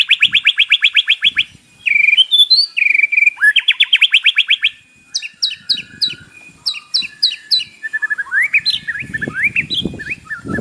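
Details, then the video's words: White-rumped shama delivering a fill-in-packed morning song meant to stir a caged bird into singing: dense buzzy trills, squeaky phrases and a row of high sharp chips, closing with rising slurs over faint low rumbling. "PANCINGAN pagi hari EFEKTIF bikin Gacor dengan suara murai batu isian"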